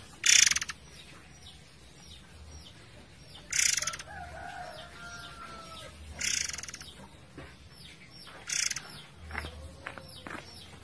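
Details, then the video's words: Forktail giving four short, harsh, buzzy bursts spaced two to three seconds apart over running water. Faint whistled notes of other birds are heard in the gaps. "MASTERAN BURUNG MURAI AIR GACOR / Ngerol Durasi Panjang"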